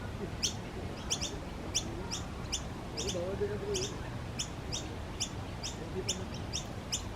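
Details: Noisy miner giving short, high, doubled chips at roughly even intervals, about one or two each second, over a low background hum with a faint murmur midway.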